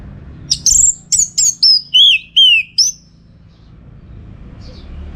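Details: Orange-headed thrush singing in bursts, used to train contest birds: quick high notes, then slurred whistles dropping in pitch, two of them drawn out and arching, before silence.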